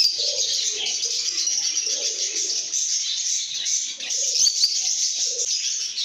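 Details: Chirping lovebirds signalling a good mood: a thick band of high squeaky twitters. Short, lower, soft hooting phrases come through in bursts underneath.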